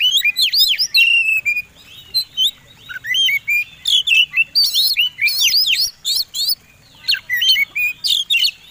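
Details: Combination song from a fighting Oriental magpie-robin, used to provoke other birds: varied whistles with steep swoops, interleaved with dense harsh chatter bursts in quick succession.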